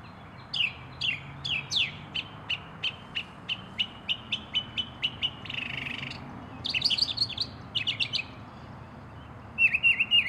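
A Northern Mockingbird sings a fast run of sharp repeated chirps, then shifts to varied squeaky phrases and rapid chattering notes, with faint low background rumble.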